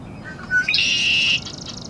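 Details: Virginia rail in a marsh in the early morning, giving a harsh, buzzy, high-pitched squeal lasting under a second, preceded by two faint thin notes.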